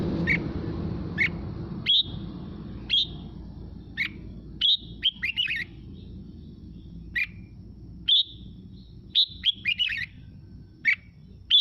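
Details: A red-whiskered bulbul sings in wild 'mộc' style, meant to fire up other birds. Crisp whistled chirps come one after another, now and then bunched into quick three- or four-note flourishes, over a low steady background hiss.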